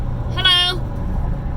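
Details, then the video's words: Pet parrot riding in a vehicle near the Arthur Ravenel Jr Bridge in Charleston, SC, on the way to an exotic vet, gives one brief nasal, meow-like squawk with bright harmonics over steady road rumble. "Parrot Making Odd Noises & Laughing"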